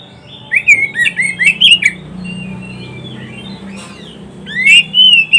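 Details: Oriental magpie-robin song played for training pet birds: a burst of quick, varied whistled notes, then a pause with a faint, thin whistle, then a loud slurred whistle to finish.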